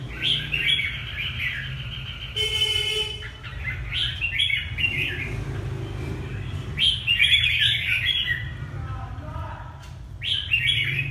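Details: Red-whiskered bulbul of the Ha Tinh type, Vietnam, giving scattered warbled phrases with pauses between them; a short harsh buzzy burst and a faint tonal sound interrupt early on, and a low rumbling hum runs throughout.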